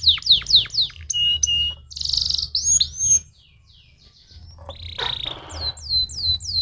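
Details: Canary song used to stimulate singing: quick descending sweeps, a buzzy trill, a brief quiet gap, then a harsh noisy burst and more repeated downward-swept notes, with a low hum beneath.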